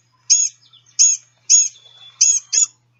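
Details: Blue-gray Gnatcatcher field-guide recording of thin, high, nasal, catbird-like mewing calls, short, whiny and persistent, about five in three seconds at an uneven pace; likened to tiny people screaming.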